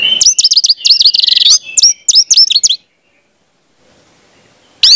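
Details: Orange-headed thrush in full song, intended to teach speckled young birds to sing: a fast, rich run of repeated whistled notes, each swooping down then up, with a brief rapid trill, ending after a silence with one loud note.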